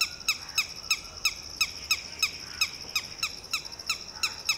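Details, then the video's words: Red-wattled lapwing mother calling in panic while protecting her newly hatched chick as a shikra swoops low: sharp, piercing notes repeated about three times a second in a steady series over a constant high tone. "Red-wattled Lapwing fiercely protects her newly hatched chick"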